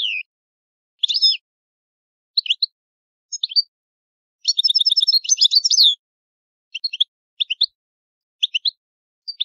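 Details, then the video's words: European goldfinch, Italian old-style song: separate high twittering bursts at irregular intervals, with one longer rapid buzzy trill in the middle. "Il canto del cardellino italiano ,il vecchia canto"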